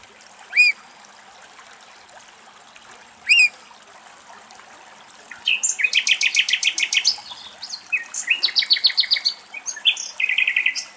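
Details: Eurasian oystercatcher (Haematopus ostralegus) pair mating in Greece during breeding: two loud, shrill rising 'kleep' notes, then fast, excited runs of piercing piping notes trilling on for several seconds; faint background hiss.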